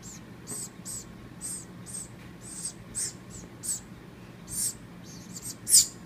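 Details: A baby woodpecker, fallen from its nest in a palm tree and being hand-raised, gives thin, raspy, high-pitched begging notes at feeding time, short scratchy bursts about twice a second, over a quiet indoor background.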